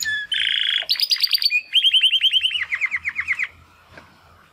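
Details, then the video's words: Young male Timbrado canary, one of two brothers from a 2020 clutch, practising song after its first molt: buzzy trill, rapid rising-falling notes, then a long run of sweeping chirps fading out. "Two Canaries Brothers - Canary training song"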